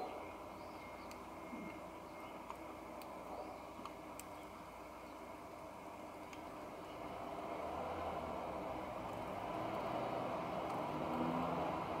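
Steady traffic rumble with a passing vehicle or train growing louder, and no clear animal calls.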